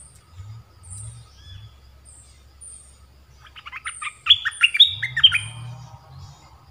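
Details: Decoy Red-whiskered bulbul, caged and recently moulted, used to draw in wild birds: after soft background whistles, a loud one-and-a-half-second run of bright, jerky warbling notes with sharp accented chirps.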